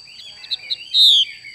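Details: Female Chinese hwamei: two short soft chips lead into a single long, bright whistle that slides gently down, the xùy call, set against a persistent high electronic tone.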